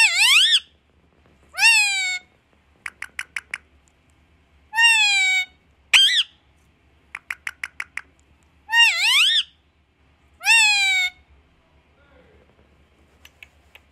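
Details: Pet parrot repeating "Maa Aaaa": long nasal "maa" calls alternating with quick bursts of four to five clicking notes, several cycles over the recording, over a faint low hum.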